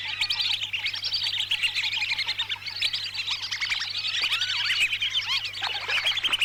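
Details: Lesser whistling ducks recorded in Lampung, Indonesia, for luring: thin whistles and quick chirps from numerous birds, with some lower repeated piping notes early on, all layered densely over a quiet steady hum.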